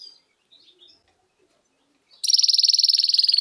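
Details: After a second of faint chips, a goldfinch-canary hybrid launches into a loud, fast, even trill of high buzzy notes running to the end.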